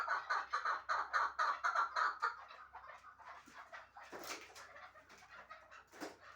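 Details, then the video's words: Chukar partridge from Shahritus, a bird kept for hunting, bursting into rapid, rhythmic clucking chuk notes about four per second, then fading into scattered quieter calls and clicks. "Кабки Шаҳритус"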